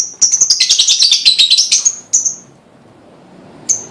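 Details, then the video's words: Lovebird singing to prompt other lovebirds to sing, a rapid run of shrill, high chirps merging into a chattering trill for about two seconds, then a few single sharp chirps after a pause. "full bunyi pancingan love bird"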